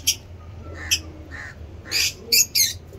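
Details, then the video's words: Loud, grating squawk-like chirps from caged lovebirds, short harsh bursts alternating with softer buzzy notes, about eight in three seconds. "Lovebird chirping"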